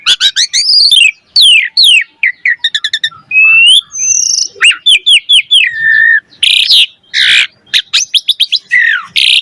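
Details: Asian pied starling song meant to get other starlings singing: an almost unbroken stream of harsh chatter, falling whistles, fast trilled bursts and loud rasping notes, delivered energetically with very short gaps.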